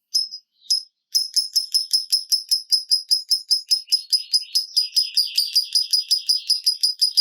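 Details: Lovebird giving typing-style ngekek song to provoke rival birds to sing: two isolated shrill notes, then a steady series of crisp high chips, roughly four per second, quickening slightly toward the end.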